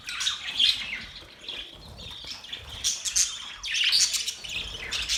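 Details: Mating budgerigars warbling, high chatter that rises and falls, with clear whistled notes and squeaky squawks, a quieter stretch in the middle before a loud burst toward the end.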